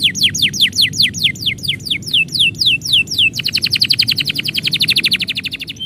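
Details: Canary singing while its owner is about to depart: evenly spaced descending whistled sweeps for three seconds, followed by a fast, dense trill of short bright notes fading at the end.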